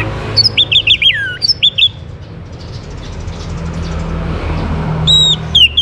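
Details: Orange-headed thrush singing to spur other birds into song: a quick run of clear, slurred whistles that fall in pitch, then a pause before two brief high whistled notes over a low steady hum.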